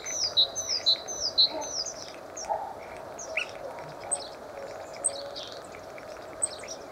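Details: Common starling (Sturnus vulgaris) giving high, thin whistled notes, three bright descending whistles at the start, then scattered chirps and squeaks over a faint steady low hum.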